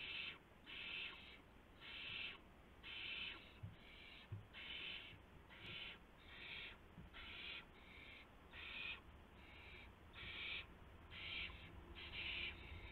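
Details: Owl at the nest at 1:00 AM on March 24, 2016, as a gopher is brought in as prey; harsh, hissing raspy calls repeated roughly once a second throughout, over a steady low background hum.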